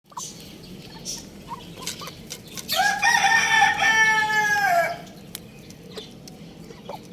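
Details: Young rooster crowing; one sustained, strained crow of about two seconds, harmonic and level before a slight fall at the end, over a low farmyard murmur with faint chirps around it.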